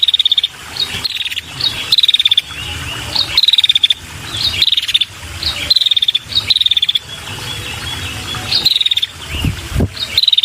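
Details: Female red-headed prinia giving a lure call for males: repeated quick rattling runs of sharp high ticks, roughly every second or two, some paired, over a constant high insect drone and faint low rumble.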